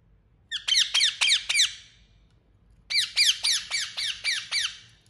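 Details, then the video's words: Indian ringneck parrot kept as a pet gives shrill, ringing squawks in two fast bursts of about five and seven notes, each call sliding downward in pitch. "Beautiful Indian Parrot Making Sound | Natural Parrot Voice"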